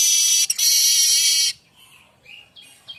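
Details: Streaked weaver (manyar kembang) singing actively, a song offered as tutoring material for oriental magpie-robins and other songbirds: a loud, harsh, sizzling buzz held for about one and a half seconds, then faint thin whistled notes.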